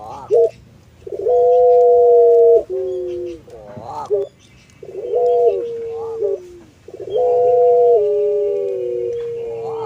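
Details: Puter pelung collared dove, a cage bird valued for its long melodious voice, bobbing its head while cooing: a short note, then long even coos that dip in pitch at the end, repeated three times with brief pauses.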